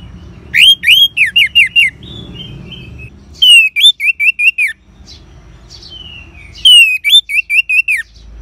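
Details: Caged Orange-headed thrush song for prompting other birds to sing: three phrases of rapid repeated buzzy, down-slurred whistles, each phrase about a second long with softer notes between, over faint low background noise.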